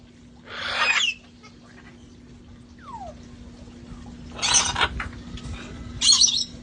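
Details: Flock of rescued parrots enjoying time outdoors before it turned cold; three separate rough, screechy squawks spaced a few seconds apart, a faint falling whistle between them, and a constant low electrical-like hum.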